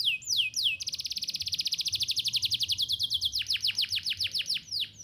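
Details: Canary singing loudly as a lure to teach juvenile canaries to sing: two quick falling whistles, then a long, very fast trill of high notes, slowing into a string of clear downward-slurred notes.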